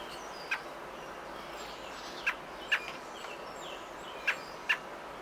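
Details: Robins feeding nestlings on the nineteenth day of nesting, 27 May 2018: brief clipped chirps, single or in close pairs, about six over five seconds, against a soft constant hiss.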